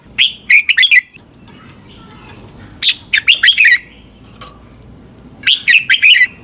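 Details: Caged-bird training recording of a red-whiskered bulbul from Thailand, meant to excite birds: quick phrases of slurred, warbling notes repeated every two to three seconds, with faint extra chirps between.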